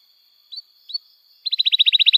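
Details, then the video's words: Canary singing as a lure for young canaries learning song: two faint soft rising chips, then a quick rhythmic trill of high bright notes over a faint steady background tone. "Kenari Gacor Panjang Cuit Cuit Emosi, Pancingan Kenari Paud Belajar Bunyi, terapi ampuh kenari macet"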